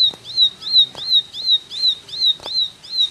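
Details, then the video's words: Short burst of Ashy tailorbird 'tembakan' style song: sharp, high chirps that rise then drop, repeated quickly and evenly, with a few soft background clicks. "Tembakan Ciblek Gacor"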